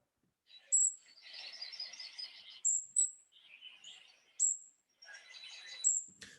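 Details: Golden-crowned kinglet (Regulus satrapa) calls from a South Carolina winter birding recording: very high, thin, airy call notes, single or in short runs but not in the usual threes, mixed with faint lower chattering twitters.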